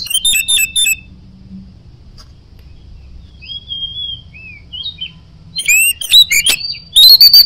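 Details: Oriental magpie-robin singing in 'ngoceh gacor' style: a loud chattering burst, a gap filled with soft slurred whistles, then renewed sharp, piercing notes and ringing phrases rising at the close.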